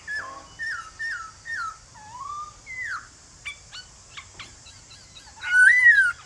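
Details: Male black-throated laughingthrush singing its wild-type song in the morning to make other birds sing back: clear down-slurred whistles about twice a second, softer notes, then a rising-and-falling whistled phrase over a steady high hiss.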